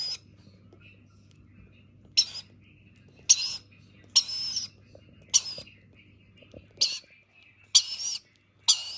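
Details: Rainbow lorikeet chick at feeding time giving harsh, noisy begging calls in short rasping bursts, roughly one every second, with faint whispery sounds and a low steady hum underneath.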